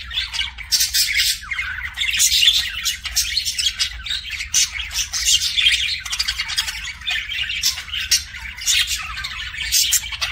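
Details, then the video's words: Long run of kissing sounds from a pet budgerigar: harsh squawky chatter with repeated click-like bursts and thin high squeaks, continuing without a break. "BUDGIE KISSING SOUNDS"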